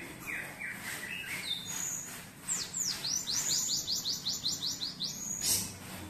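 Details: Energetic cinereous tit singing canary-learned phrases: soft descending whistles open, then a quick run of high falling chirps and a brief thin note at the end.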